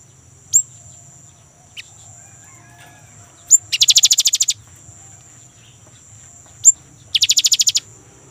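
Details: Young great tit, its rolling song meant to coax kept birds into singing: scattered thin high chips, then two brief rapid pulsed trills, each opened by a sharp upward-flicked note, with a steady high hum behind.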